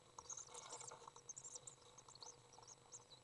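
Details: Common swift young being fed by an adult inside a nest box, recorded June 10th 2011: a dense, busy burst of thin, high twittering chirps, tumbling rapidly over one another and coming in quick uneven clusters.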